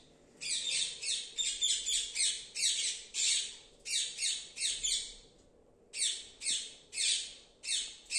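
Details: A mother and baby Alexandrine parakeet give harsh, raspy squawks in quick bursts, about two each second, with short gaps; nothing else is heard.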